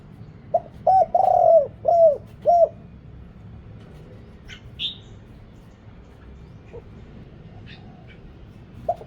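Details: Spotted dove coos used as a Thai lure for wild birds: a quick run of four low hollow coos, then long quiet with faint distant chirps and a single soft coo at the end.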